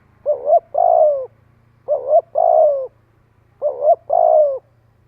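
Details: Spotted dove calling to lure and gather others, three coo phrases about two seconds apart, each a short wavering double note followed by a longer, steady, falling coo; faint low hum underneath.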